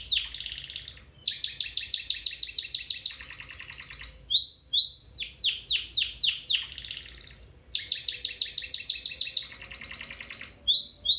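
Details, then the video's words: Singing domestic canary meant to stimulate a pet canary to sing: loud rapid trills alternating with lower buzzy rolls, short clear whistles and a burst of sharp descending sweeps, the tour sequence repeating twice. "Canary Singing"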